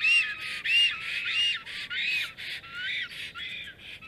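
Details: Black storks greeting at their nest on 30 April 2022 near 12:34 PM, with a strange female arriving and being thrown out; hoarse, breathy whistled notes arching up and down, about two per second, over faint background hiss.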